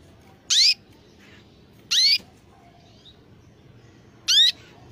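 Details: A white loper canary gives three short, bright upslurred chirps, spaced one to two seconds apart, over a faint low room hum.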